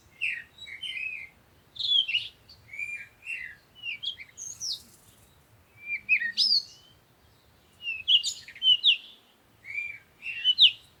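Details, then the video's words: Busy sunrise birdsong in the morning: many short, high chirps and twittering phrases repeat irregularly, roughly every second or two, with brief pauses between clusters. "Morning Sunrise and Birds sound"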